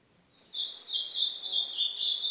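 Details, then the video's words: Ultramarine grosbeak song in the northeastern style, played to train and warm up a pet golinha. After half a second of quiet, a high, bright, continuous warbled phrase runs unbroken to the end, over faint low background noise. "Encarte / Treino / Esquentar meu golinha canto do AZULÃO DO NORDESTE!!!"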